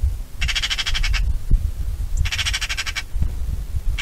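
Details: Bonelli's eagle (Aquila fasciata) gives two bursts of rapid, high, yelping notes, each under a second, about a second apart, over a steady low wind rumble.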